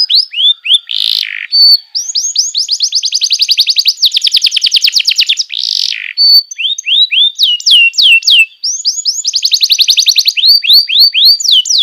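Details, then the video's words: Canary tutor song for young canaries: long, fast trills of repeated high syllables, about three or four per second in places, broken by two short harsh bursts, with dropping whistled notes near the end. "masteran burung kenari paud"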